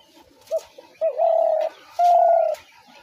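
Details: Mellow spotted dove phrase used to attract doves into traps: a short soft note, then two long, even, low coos with a brief gap between them, in a quiet setting.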